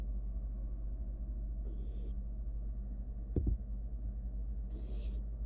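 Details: Wild barn owl nestling in a monitored nest box, gobbling down a mouse: two short, harsh, breathy hisses about three seconds apart, a brief knock between them, over a steady low hum.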